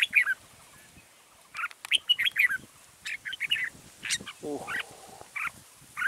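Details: Decoy red-whiskered bulbul calling during bird trapping at Kim Bôi, 6 April 2017: scattered short chirped and slurred whistled phrases separated by gaps, over a soft background hiss and faint low rustling.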